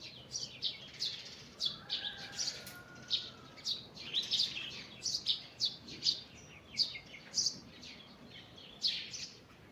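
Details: Forest birds singing in the morning, short bright chirps repeated roughly every half second in a lively run, with a faint lower whistled note drifting beneath in the first seconds.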